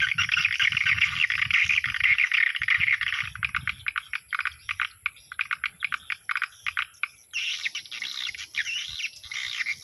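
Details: Swiftlet sound used as a dusk (Maghrib) lure for a swiftlet house: rapid buzzy chattering pulses in fast runs, then a higher twittering stretch, over a steady electronic hum.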